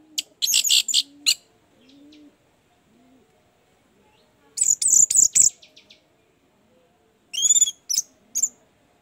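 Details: Orange-headed thrush song played as a lure to prompt a reluctant bird: three separate bursts of quick, high, piercing notes and trills, separated by quiet spells with faint low cooing.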